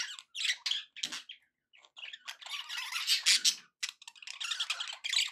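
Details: Pet budgies chattering contentedly: choppy phrases of raspy squeaks, clicks and short warbles, with a quiet pause near the start, then a fuller burst of scratchy chatter.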